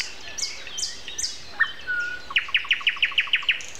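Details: A common nightingale sings on an April 29 morning at 7:55: a few high swooping whistles and one long level whistle, then a crisp repeated note delivered about six times per second.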